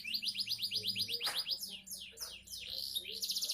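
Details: Song of a young canary: a brisk, even trill of repeated rising chips, then loud swooping notes, ending in a dense high buzzy rattle.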